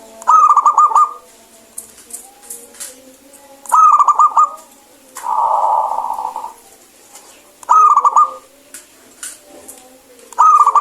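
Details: Zebra dove of a local strain, said to sing clearly, repeats short rippling coo bursts about every three to four seconds, with a rougher, muffled cooing sound in the middle.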